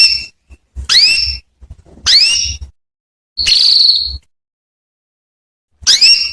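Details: Female canary calling to a male to prompt him to sing: bright whistled notes with rising sweeps, in short bursts separated by pauses, one steady held whistle, quiet low thumps beneath.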